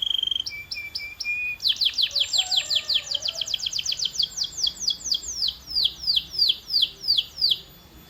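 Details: Hyper-active canary singing: a few high whistled notes, then a long run of fast, repeated descending sweeps, about three per second, in bright high tours with a faint lower warble underneath.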